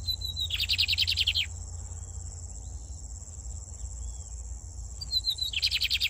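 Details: Lined seedeater, a brown-plumaged "pardinho" bird singing a lot, in Brazil, gives two quick, bright phrases about four seconds apart, each a short high whistle then a fast chattering trill, over a steady insect hiss and low hum.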